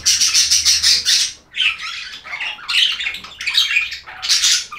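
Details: Budgerigars chirping for relaxation: dense bursts of buzzy, scratchy chatter in rapid clusters with brief pauses between phrases, several birds overlapping.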